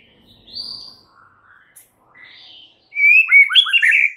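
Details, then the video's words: White-rumped shama singing its full repertoire of fills, used to coax a stalled shama to sing; faint scattered notes at first, then a loud burst of quick, bright, tumbling whistles near the end. "Murai Batu FULL BONGKAR ISIAN , sangat EFEKTIF untuk PANCING Murai Batu anda yang MACET"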